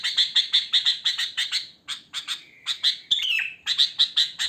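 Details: Sooty-headed bulbul singing naturally in the wild, used to draw other bulbuls: rhythmic rapid chirps, a long gliding whistle falling in pitch, then more quick chirps.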